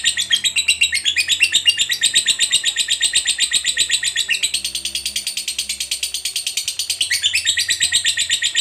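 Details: Lovebird of the fighter type in a long ngekek chatter, used as a lure to make other lovebirds sing: shrill, buzzy notes rattled off about four per second without pause for nearly nine seconds, pitch stepping slightly higher midway.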